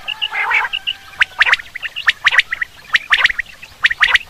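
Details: Common quail sound played for hunting: after a brief nasal flutter, sharp clicking notes come in clusters of two or three, repeated roughly every second and fairly evenly spaced.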